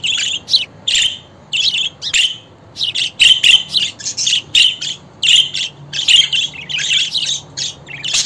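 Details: Continuous budgerigar chatter made of raspy, twittering notes and clipped squawks, delivered in tight clusters that grow denser toward the end.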